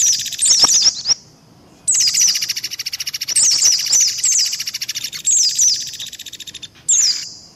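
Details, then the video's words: High-pitched white-eye lure sounds from a mixed trapping track with other species: clusters of thin descending whistles over a continuous buzzing rattle, with a quiet gap near the start and short bursts later. "SUARA PIKAT BURUNG PLECI"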